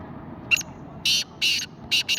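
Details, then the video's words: Black francolin giving harsh, raspy notes in a quick series, about five bursts in two seconds, over a steady low background rumble. "Kala teeter"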